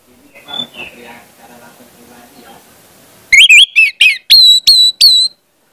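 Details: Orange-headed thrush song used as a lure recording for speckled young birds: after soft murmuring voices, loud high whistled notes arrive in a quick burst of about seven sharp, bending phrases.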